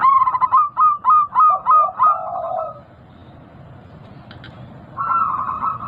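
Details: Local zebra dove with a big voice, used as a lure to get caged birds that have stopped singing to call again; a quick run of about eight short rolling coos, a pause, then another cooing phrase over faint background noise.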